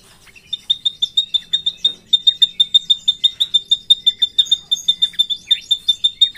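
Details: Drongo from Indonesia rolling out a long, steady series of identical crisp notes, about three per second, a high even chatter with faint extra chirps woven in near the end.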